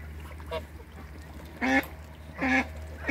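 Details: Toulouse geese playing in backyard water give two loud, nasal, harmonic honks about a second apart, after a softer call, over a steady low hum and light splashing.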